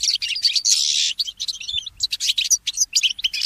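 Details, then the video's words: Mule goldfinch in early-morning song: opens with a long harsh buzzy phrase, then continues in rapid, varied chirps and sharp twittered notes. "The inspiring Motif of the Mule Goldfinch"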